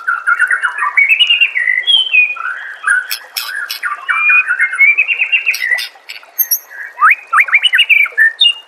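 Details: White-rumped shama master song, used to train other shamas to sing: a rich run of whistled, slurred notes and quick rising trills, with short sharp high chips between phrases, sung almost without pause.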